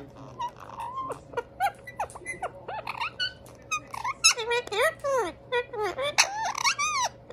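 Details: Indian ringneck parakeet brothers in a room, chattering to one another in a dense, continuous stream of squeaks, warbles and rising-falling nasal notes with scratchy clicks.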